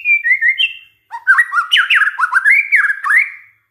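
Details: Lure song of a white-rumped shama, meant to stir other shamas to sing. A few sweet whistles, a brief pause, then a rich, fast torrent of swooping, looping whistles and chips.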